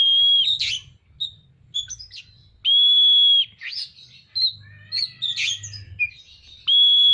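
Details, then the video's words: An Oriental magpie-robin in vigorous song, tail fanned, opens and closes with long flat whistles. Between them come varied scratchy notes, buzzy chirps and quick twittering phrases, with a faint low drone behind. "Burung Kacer gacor buka ekor"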